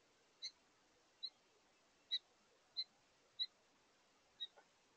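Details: Contact calls from a pair of house finches at a bird feeder in the evening feeding: six crisp, high chirps roughly every two-thirds of a second, one followed by a faint short echo note.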